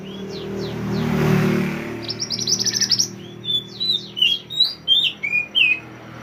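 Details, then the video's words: Pied triller (mantenan) chirping as a master recording for songbirds: a soft rushing noise, then a rapid trill and a run of sharp separate chirps about twice a second. "mantenan gacor burung masteran / chirping sound bird"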